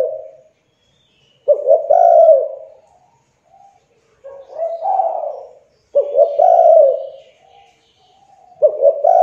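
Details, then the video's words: Spotted dove, a young bird used to lure reluctant doves into calling; repeated cooing phrases around 500–800, each a short stuttering onset then a long husky coo, with pauses of about two seconds between phrases, quiet background. "TEKUKUR MACET , MALAS BUNYI, MUDA, CULHU COBA PANCING DENGAN TEKUKUR INI AGAR CEPAT BUNYI"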